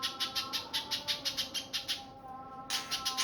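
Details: Spiderhunter call used as a lure: a fast, even series of bright, high chirping notes, about three a second, that pauses briefly and then resumes. A low steady tone runs underneath.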